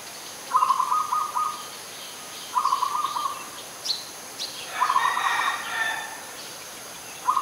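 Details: Adult Zebra dove recorded on 21 September 2022 in Ubon Ratchathani, Thailand. It gives rippling staccato coo trills repeated about every two seconds; another bird's louder, noisier calls and some faint chirps join in between.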